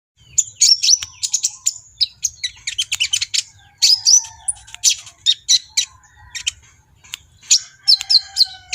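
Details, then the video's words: Brown-throated sunbird, locally called kolibri ninja, singing vigorously in an excited, agitated state: rapid bursts of high, sharp chirps and thin metallic notes in quick succession with short pauses, some notes sliding, no other sounds. "BURUNG KOLIBRI NINJA GACOR EMOSI || NGOBRA TELER"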